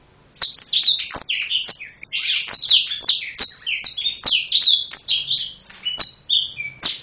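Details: Black-throated canary, Serinus atrogularis, in full lively song with wings opened: a continuous stream of sweet, high, slurred whistles and chirps, many swooping down in pitch, delivered rapidly for several seconds without a break.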